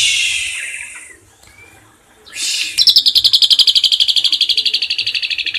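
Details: Asian pied starling singing a 'tembakan isian cililin' burst, a training master: a harsh, noisy phrase, a pause, then a fast, high, even trill of about four notes a second held to the end.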